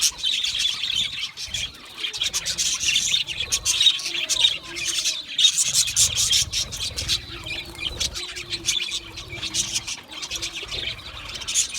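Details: Australian budgerigars chirping and singing in a dense, continuous chatter of high, scratchy chirps and short squawks, several birds overlapping with no pauses, some low rumble beneath.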